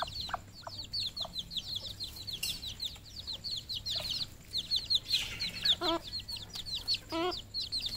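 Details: Farm flock of red junglefowl in Cambodia, giving a dense, continuous chorus of high, sharp downslurred peeps from many birds, broken by short rapid trilled clucking phrases near the end, with low hum underneath.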